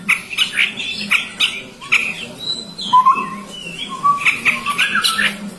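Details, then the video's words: Chestnut-rumped babbler: sharp, high chattering clicks and trills, broken by several clear mid-pitched whistles that rise slightly. More high chatter follows, with a low hum in the background. "SUARA BURUNG TEPUS TUNGGIR MERAH"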